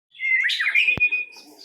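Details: White-rumped shama, the first-place winner of a songbird contest, gives a brief burst of bright whistled notes with quick fluttering trills, then a single sharp click.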